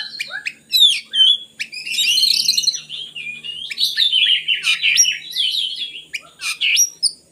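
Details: Kacer song played to coax sluggish oriental magpie-robins into singing. Sharp whistled notes and scratchy bursts build into a dense, warbling stretch with buzzy chatter, then break into separate bright chips near the end.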